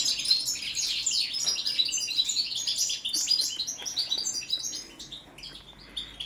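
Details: European goldfinch, subspecies balcanica, delivering a lively, high, rapid twittering song of liquid chirps and short trills that tapers off toward the end.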